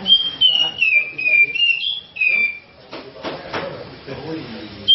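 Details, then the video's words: Grey-cheeked bulbul, a champion songbird used as a tutor and lure song: a run of bright whistled notes sliding down and up, then a short falling whistle, followed by knocking and rustling noises. "Kicau Cucak Jenggot gacor Juara Nasional"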